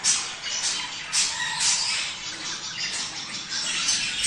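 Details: Budgerigar warbling meant to stimulate mating: a rapid, high-pitched jumble of squeaks, chirps and raspy notes that pulses in short surges throughout.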